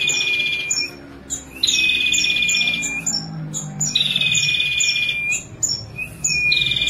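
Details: Female ashy prinia in 'kristal' style, 'nembak' singing without pause: repeated bursts of fast, rattling high trills lasting about one to two seconds each, layered over a level whistled tone, with brief sharp chirps between bursts.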